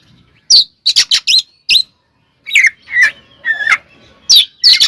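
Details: Magpie-robin (kacer) fighting song to provoke rivals: clusters of sharp clicks, then drawn-out whistled notes and rising slurs, loud and spaced by brief silences.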